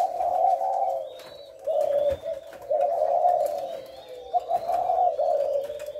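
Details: Spotted dove calls recorded on 18 September: a steady series of low, mellow coos, each drawn out and slightly wavering, following one another almost without a break, with faint thin whistles of other birds above.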